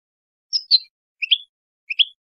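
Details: Clean-style ("limpio") European goldfinch song, 2022/2023 recording: three short high note pairs, each a sharp chirp followed by a slightly lower tweet, spaced about 0.7 seconds apart against complete silence.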